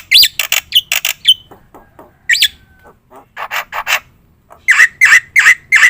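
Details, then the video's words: Black-winged myna in vigorous lure song: bursts of harsh squawks with arched whistled tones, a quieter gap, then loud raspy notes repeated roughly twice a second. "suara top jalak putih gacor"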